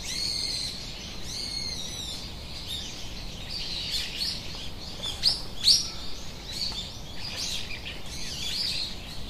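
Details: Australian king parrot, a local male bird, gives a short series of high, harmonic-rich whistled calls near the start, then sharp chirps around the middle, over a dense background chorus of other birds and steady outdoor hiss.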